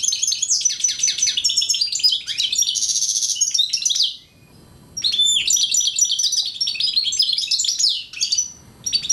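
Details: An Algerian goldfinch mule, a hybrid bird, sings two bursts of rapid twittering and buzzy trills separated by a short pause, with a brief final phrase after another gap.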